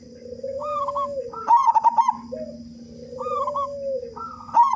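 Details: Singing local zebra dove with a big voice, played to make other doves sing quickly: a softer lower coo rises into a loud, bubbling staccato phrase of quick cooing notes, heard twice, over a steady low hum.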